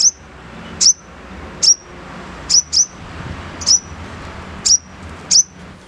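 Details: High, thin chips from a sogon, the crimson sunbird, in harsh 'nembak kasar' style, each a quick downward-flicked note, sometimes paired, repeated roughly every second against a quiet low hum.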